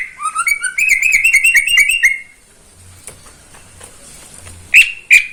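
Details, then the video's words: Caged greater green leafbird singing in the morning in Indonesia, a fast rattling series of repeated chirps for two seconds, a quiet gap with faint background hum, then two sharp whistled notes. "Kicauan cucak ijo di pagi hari"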